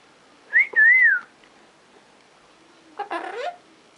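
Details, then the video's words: Pet green-cheeked amazon parrot whistling a clear wavering tone that rises and dips for under a second, then after a pause a rougher, harsher vocal burst. "Rocky Green Cheek Amazon Parrot"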